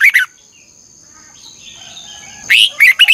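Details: Red-whiskered bulbul in morning training song, 'chè căng lửa' style with a 'xoắn kép' voice: the tail of one warbled phrase, a pause with soft twitters, then a new rapid phrase of sweet, slurred notes starts, over a thin high whine.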